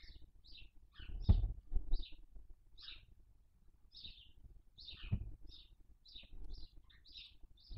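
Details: Barn owl nest in Cabañeros National Park as the female feeds on a dead chick and shares the remains with the chicks; rapid overlapping rasping hisses, more than one caller, with intermittent thuds and rustling.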